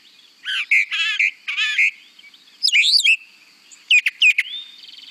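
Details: Brown Thrasher song, played to show its more patterned delivery with each phrase typically given twice: harsh buzzy doubled notes followed by sharp chirped and slurred phrases, spaced by brief gaps, with light hiss behind.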